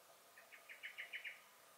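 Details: Common blackbird in a garden on 23 May 2021, giving an alarm call: a quick run of about seven hard, even chacking notes, rising slightly in loudness toward the middle, over faint steady background hiss.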